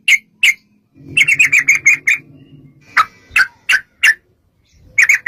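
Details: Yellow-vented bulbul singing in long rapid bursts, used as a lure to make other bulbuls sing in reply: two sharp chirps, then a fast chattering run of clipped notes and several separate bright notes, over a low steady hum.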